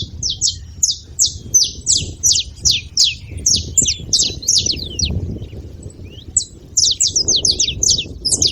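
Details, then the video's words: {'text': 'A group of saffron finches chattering: rapid bursts of bright, high downward-sliding chirps, close together and overlapping, over a steady low murmur of background noise.'} "canários da terra fazendo barulho"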